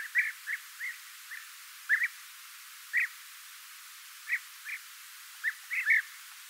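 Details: European bee-eater, also named golden bee-eater, giving scattered soft rolling chirps, some doubled, spaced unevenly over several seconds against a faint hiss.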